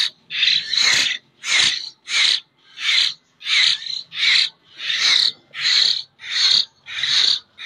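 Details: Common hill myna youngster from Jember, hand-fed, begging insistently: loud, raspy, hissed screeches in quick separate bursts, some doubled, repeated more than once a second.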